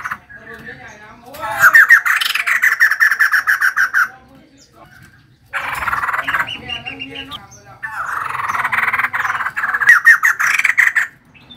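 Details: Energetic female white-crested laughingthrush delivers long stretches of rapid, rattling, ringing notes with some upward sweeps. The bursts are broken by short gaps.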